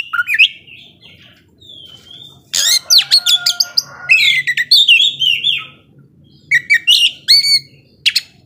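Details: Singing Oriental magpie-robin in lively 'ngobra' mode, said to anger slower rivals. A few whistles and a pause lead into a dense outburst of clicks, buzzes and rich warbles, then high, clear whistled notes.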